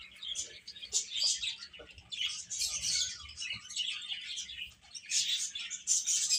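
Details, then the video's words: Young chicks eating and at play, many high chirps layered into a continuous twittering chatter, swelling and fading in waves across the clip. "Baby Hen Chirping Sounds"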